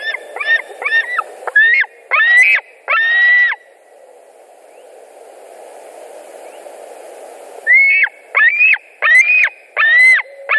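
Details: White-tailed eagles at a nest in Latvia, 2 August 2020 around midday, screaming during a carp delivery and fights. Loud, harsh, harmonic yelps come in bursts, then a quiet gap before more rising, strained cries.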